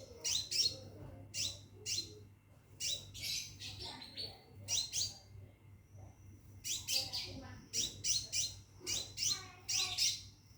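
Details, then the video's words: Male-style mating call from a caged Scarlet minivet: repeated clusters of sharp, high twittering notes, coming faster and denser toward the end, with a steady high whine in the background. "Burung Seppah Raja Gacor Di Dalam Sangkar panggil betin kawin"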